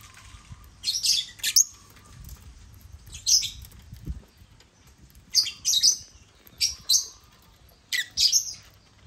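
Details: Several African lovebirds on a millet crane utter paired, piercing chirps, usually two in quick succession, repeated about every two seconds, with a soft low hum beneath.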